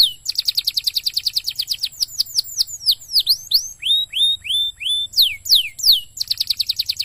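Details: Lure recording of a canary singing, meant to get other canaries singing: a rapid high trill opens, then looping down-up slurred whistles and a run of short falling notes, returning to quick trilled rolls.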